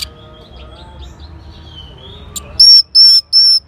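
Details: Orange-headed thrush in North Bali, responding to a lure sound: after a faint thin whistle, three loud, sustained high whistled notes follow in steady succession about every third of a second.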